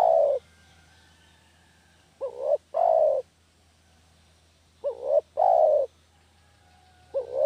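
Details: Lure call for trapping spotted doves: a mellow cooing phrase, a quick wavering double note and then a longer sliding coo, heard twice in full with fragments at either end, spaced about two and a half seconds apart.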